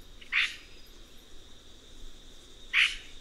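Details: Red-rumped cacique (Cacicus haemorrhous) uttering two brief, hoarse squawks nearly two and a half seconds apart over quiet background hiss.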